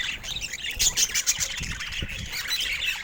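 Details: Pet budgerigars chatter without pause: high, scratchy warbling mixed with sharp squawky notes, plus a few low thumps near the middle.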